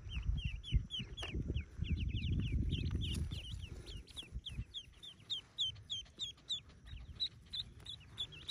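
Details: Rapid, high, curved peeps pour from ducklings as they hatch, forty yellow young in a cave nest, starting over loud low rumbling that fades while the peeping continues steadily.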